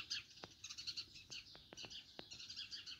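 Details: Morning chorus of house sparrows: dense, overlapping high chirps and tweets running continuously, several birds calling at once, with a few sharp taps or clicks throughout.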